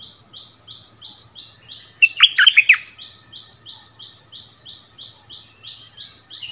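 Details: Bulbuls in a territorial song duel, 3 February 2021, a decoy bird facing a new resident at its former territory; rapid repeated buzzy notes run throughout, interrupted midway by a short, loud cluster of liquid whistled warbles.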